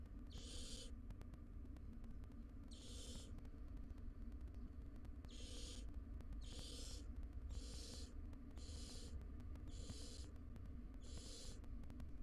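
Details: A wild barn owl family at a monitored nest box, two adults with three young. Harsh, breathy hissing screeches, each lasting about half a second, come in a regular series roughly every second, over a steady low hum.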